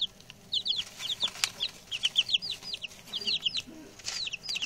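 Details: Newly arrived male chicks, six of them, peep steadily: high, down-slurred notes tumbling over one another in quick runs, with faint rustles and soft bumps underneath.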